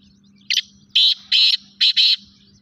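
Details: Black francolin calling, a short harsh burst followed by four loud grating, buzzy notes in quick sequence over a steady low hum.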